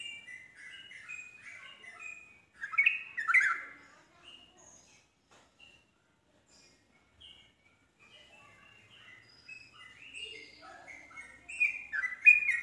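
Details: Yellow-vented bulbul song meant to draw other bulbuls into answering: bursts of quick, liquid, descending notes, a loud flurry early on, a long near-silent pause, then renewed chattering that rises to a loud finish.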